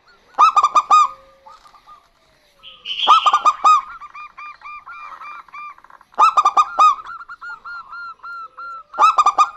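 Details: Local zebra doves, a male and female calling back and forth, used as a lure for other birds; four loud clusters of ringing coos, a short higher buzzy note, and rows of soft evenly spaced coos between.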